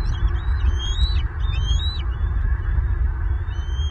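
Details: Bald eagles in Southwest Florida, April 5 2023: fledged eaglets returning to the nest as a fish is delivered. Several high, thin piping whistles bend up and down against heavy low-pitched wind noise.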